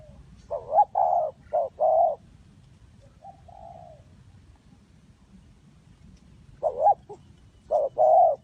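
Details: Spotted dove from Ninh Thuận, Vietnam, in a bird-trapping setting, gives two bursts of soft, throaty cooing a few seconds apart. Each burst holds three or four mellow notes, with a faint, quieter coo in the gap.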